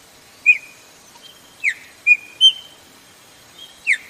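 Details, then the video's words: Female chopi blackbird calling repeatedly, a call meant to excite males: short sharp whistled chirps, some slurring downward, five notes spaced irregularly roughly a second apart over a quiet background with a faint steady high hiss. "FÊMEA DE" PÁSSARO PRETO " chamado muito/PIADO DE FÊMEA PARA DEIXAR SEU PÁSSARO PRETO LOUCO"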